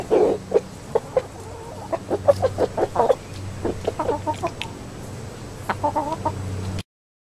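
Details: Rooster giving a food call for the hens along with unusual behaviour: stream of short clucks and throaty tuk notes in uneven clusters, with a low background hum.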